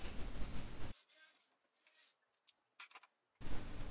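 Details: Loud rumbling, broadband handling noise at the start and end frames a quiet middle stretch that holds only a few faint clicks and taps, with no animal voice.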